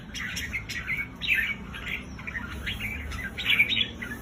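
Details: Recording of red-whiskered bulbul voices meant to excite caged birds: scattered chirps and short husky warbles from several birds, moderately faint, with steady low background noise.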